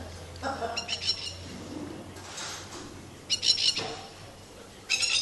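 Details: Plovers swooping to protect their eggs, which lie across the water in a garden; sharp, ringing calls in quick repeated bursts, loudest near the start, middle and end, with people talking nearby.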